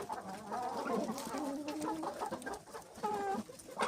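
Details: Hens and roosters pecking together, giving a steady run of low, tonal clucks and short harmonic calls that overlap and rise and fall, with quieter pecking clicks underneath.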